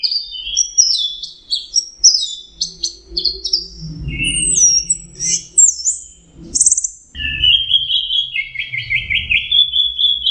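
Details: Orange-headed thrush, locally called anis merah, singing energetically in full song; a varied run of loud whistled phrases, sliding notes and rapid trills mostly high-pitched, with rich warbled passages and low background hum.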